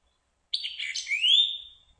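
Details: White-eyed vireo, a bird seldom seen, gives one quick, high, burry phrase of jumbled chips rendered 'chick-wee, perchio, chick', ending in a clear whistle sliding upward; nothing else heard.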